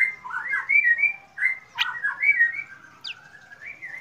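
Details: Black drongo heard in the morning giving a flowing string of mellow whistled phrases, wavering and slurred, broken by one sharp rasping note and a thin high squeak.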